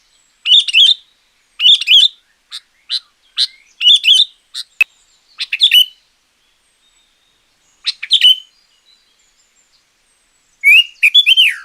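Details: Loud sooty-headed bulbul song for luring wild birds or tutoring quiet caged ones: clusters of rapid whistled chirps repeated in bursts, a short pause, then a final lower, fluty warbled phrase.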